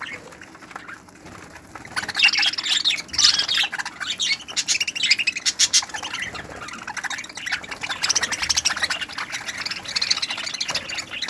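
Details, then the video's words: Budgerigars in an aviary in 2018 chatter and squawk together, a dense stream of scratchy, high chirps and warbles from many birds at once, busiest from about two seconds on. "Periquitos australianos"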